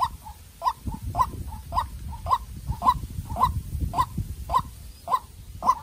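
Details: A White-breasted waterhen, a young captive-bred decoy, in a tense calling match with a wild bird: a long even series of rasping notes about twice a second, with weaker alternate notes and steady low rumble.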